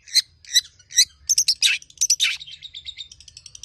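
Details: Long-tailed shrike, tame cage bird with varied mimicked song used to prompt other birds to sing: three loud chirps, then a busy run of high notes and harsh slurs fading into a soft rapid twitter.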